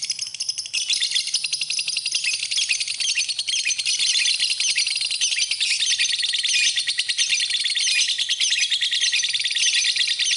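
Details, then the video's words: A lovebird gives a master song for training other birds: a long, unbroken stream of fast, shrill, high twittering and squeaky notes with no pauses and no other sounds. "Kicauan Burung, Love Bird, Masteran Love Bird"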